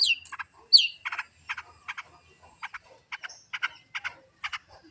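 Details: Long-tailed shrike (cendet) from a master-training recording: two high slurred whistles open, then short harsh buzzy notes repeated roughly every half second with quiet gaps; no other sounds.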